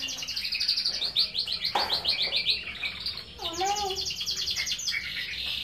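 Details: Domestic canary singing gacor-style, loud and non-stop: rapid high trills of repeated notes, a brief lower slurred whistle phrase midway, then more fast rolling trills.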